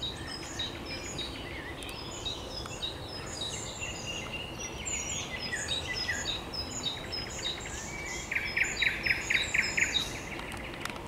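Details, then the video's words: A thrush nightingale sings loud, varied phrases ending in rapid hard clicking notes, recorded 26 May 2022, amid busy chirping of other birds including a young starling; finding: Thrush nightingale. "śpiew słowika szarego"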